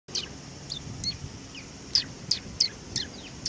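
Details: Sparrows coming to be fed at a Tenmangu shrine on 18 August 2020; short, high, sharp chirps repeat irregularly about every third of a second, with a low steady hum in the background.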